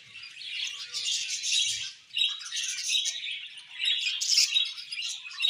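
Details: Budgies keep up a steady, busy warble of high chirps and buzzy chatter, swelling in waves every second or two, with a sharp squeak near the end.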